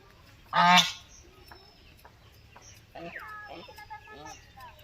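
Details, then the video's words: A duck in a village flock gives one loud, harsh, nasal quack, followed a couple of seconds later by softer, lower quacks and murmurs from the flock. "Duck sound original"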